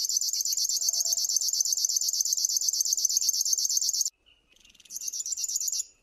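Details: Sustained, rapid, buzzy pulsing from a river warbler for about four seconds, then a short pause and a quieter restart of the same ticking rhythm before it fades out.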